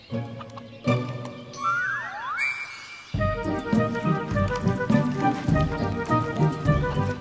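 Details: Instrumental music plays throughout, with a brief passage of gliding, swooping synthetic tones before a fuller, rhythmic section begins.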